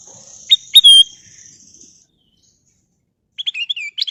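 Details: Golden bulbul song: a pair of upswept chirps leading into a clear whistled note over a faint high hiss. It ends with a rapid burst of short chirps.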